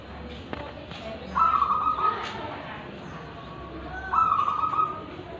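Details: Local wild-type zebra dove, Tulungagung, Indonesia, singing in ulem and kristal voice: a pair of bright, vibrating cooing phrases almost three seconds apart, a few light clicks early on.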